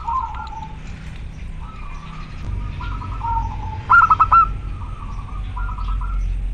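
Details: Local male zebra dove calling to a female, lively and clear: soft rolling coo phrases, then a brief louder burst of clipped notes and more trilled coos, with low background hum.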